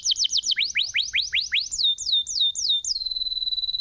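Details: Canary singing used to stimulate silent canaries: a series of rising, slurred whistles repeated several times a second, then falling swoops, ending in a steady high buzzing trill.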